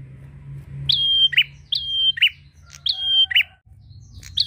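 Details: A prinia calling out to a rival in lively, constant song: a crisp click leading into a level piercing whistle and a short lower buzzy note, three phrases in quick succession.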